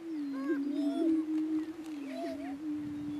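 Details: Two male Greater Prairie Chickens battling for dominance on a lek in northeast Kansas; a steady low droning hum runs throughout, overlaid by higher whistled, rising and wavering notes in short bursts.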